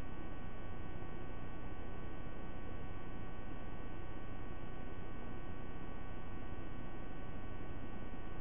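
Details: Continuous electrical hum with steady tonal bands and no animal calls.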